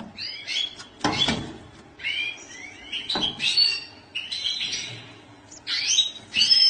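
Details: A European goldfinch sings a bright, tinkling twitter of quick, liquid notes and short trills in bursts, with a few sharp, scratchy clicks in between.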